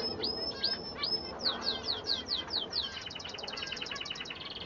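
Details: Male Bengalese finch singing: a few short upswept whistles, then a quick run of downslurred high notes, ending in a fast, even trill of clipped ticks over faint background hiss.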